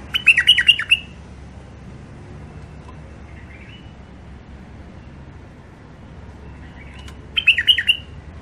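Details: Wild songbirds from the Mandali border area give two short bursts of bright, rapid, clear chirping twitters about seven seconds apart, with a faint soft note in between, against a quiet background.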